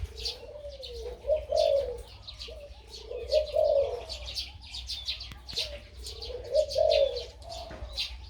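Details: Crossbred dove, said to have a big voice and two-to-three 'kuk' karam song, giving slow groups of low, swelling coos, while busy high chirping from other birds fills the background.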